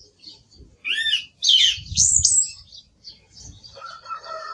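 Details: Song thrush song: a looping whistled note, then loud squeaky phrases, ending with a softer stretch of thin twitters.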